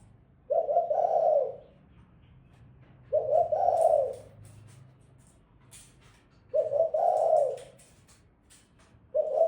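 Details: Female spotted dove cooing: low, mellow two-part coos, each about a second long, repeated roughly every three seconds, with faint clicks and rustles in the quiet gaps.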